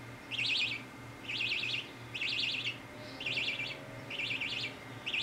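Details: Baby budgerigar calling while getting a head scratch: short, high, wavering warbled chirps, each about half a second, repeated roughly once a second in a quiet room.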